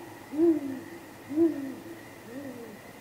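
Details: Great grey owl pair at the nest, night of 23 April 2019, exchanging contact hoots with a response and possible mating: two strong deep hoots about a second apart, then a softer third, light background hum.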